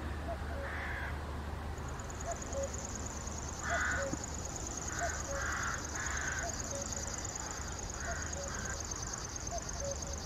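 A male river warbler gives a sustained, high, insect-like buzzing reel, steady and finely pulsed. Harsh crow caws break in repeatedly over a low background hum.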